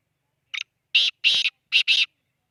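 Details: Black francolin calling in Khushab: a short harsh note, then two quick pairs of loud, raspy, grating notes over about one and a half seconds, in a quiet setting.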